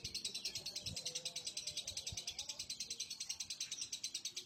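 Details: Lovebird pouring out a long, shrill, buzzy trill of rapid high pulses, about three per second in loudness swells, steady throughout with a few faint knocks beneath.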